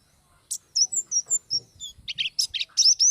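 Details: Energetic Oriental white-eye song used as a training model: high, thin whistled notes sliding downward, then a quick jumble of buzzy chirps and bright trills, densely packed over three seconds.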